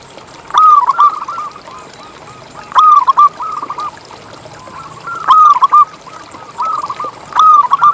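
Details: Local zebra dove song used as a lure to make zebra doves keep singing. Rapid pulsed cooing phrases at mid pitch open with a louder stuttering burst and recur about every two and a half seconds. Softer cooing continues between phrases.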